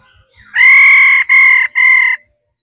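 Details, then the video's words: Female laughingthrush giving its 'ro' call, used to stir males into singing: three loud, harsh, nasal notes in quick succession, the first longest, then silence. "Khứu mái ro quá đỉnh kích trống căng hót hay"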